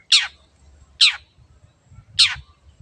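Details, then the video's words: Three grating, downward-sweeping shrieks from a long-tailed shrike, evenly spaced about one second apart, over a low background rumble; a lure recording meant to prompt birds to sing. "CENDET GACOR PANCINGAN MENGATASI BURUNG MACET ATAU BAHAN AGAR RAJIN BUNYI"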